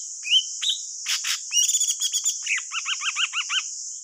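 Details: Thanh tước bird song played as a trapping lure: a few rising whistled notes and buzzy bursts, then a quick run of six or seven repeated looping chevron notes, against a constant high-pitched hiss.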